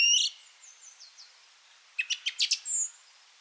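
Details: Song Thrush song played back during an April garden-birds talk in Monkstown, Dublin: a loud shrill opening note, softer high slurred notes, then a piercing burst of rapid repeated sharp notes and a final high whistle.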